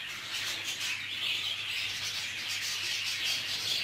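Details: Fighting budgerigars kept together in a group aviary produce a dense, nonstop wash of high warbling chatter and chirps, with many birds calling at once over a steady low electrical hum.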